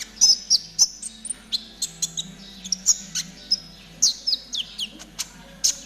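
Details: ['Konin in trotol style for training caged birds: a lively, rapid stream of high chirps and short slurred whistles, several each second, with a steady low hum behind.']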